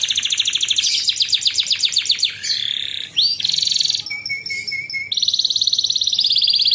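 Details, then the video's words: Canary song used as a master for young canaries, in besetan, ngepik, jeda and air kapas tembak styles. Rapid pulsed trills give way to buzzy segments, a brief steady whistled note, and a final fast ringing trill. "SUARA MASTERAN BURUNG KENARI"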